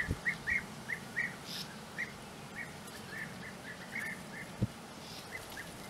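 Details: Series of short burry trilled notes from European bee-eaters at their nesting burrows on the flat Puszta Eldorado plain, delivered rapidly at first then more spaced, with two sharp low knocks.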